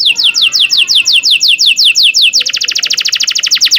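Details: Canary tutor song for learning birds: evenly spaced falling whistled notes about four per second, then switching abruptly to a faster, tighter rolling trill.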